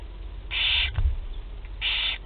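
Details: Théding barn owl young, first feeding on 8 July 2020, produce two strong rasping hisses with a dull knock between them, over low background noise.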